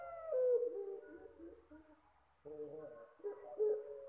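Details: Soft lure call of a Puter Pelung dove: a drawn-out low coo that slides gently downward, then after a short silence a second series of rounded, mellow coo notes.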